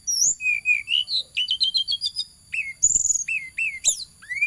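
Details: Flowerpecker in full, lively song as it chases: a fast string of high, clear upslurred chirps, some trilled, repeated about four per second, mixed with sharp downward-slurred notes.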